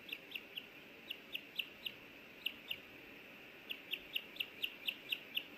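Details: Wild osprey at a nest in Hellgate Canyon, Missoula, Montana, May 24, 2024, on a nest camera, as a male brings in a small fish and the female wants a bite. Sharp high whistled chirps come in irregular bursts of two to four, with a low background hiss.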